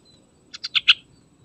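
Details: Trucukan song used as a lure to make trucukan birds sing: four short bright notes in quick succession, each louder than the last, over a faint low background hum.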